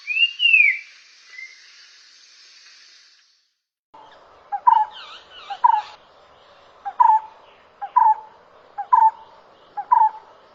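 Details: A bird gives a clear rising then falling whistle, then after a break a series of short lower calls repeated roughly once a second, with some higher notes between.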